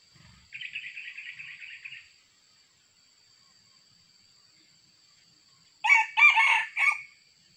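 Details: Red junglefowl in Sumatra, during decoy trapping: a buzzy insect-like trill runs for under two seconds, then after a pause a cock bursts into a harsh three-part crow lasting about one second.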